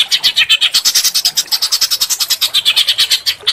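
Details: Small bird in a training recording for Oriental magpie-robins gives rapid, rasping, buzzy notes, roughly eight a second, in one unbroken series.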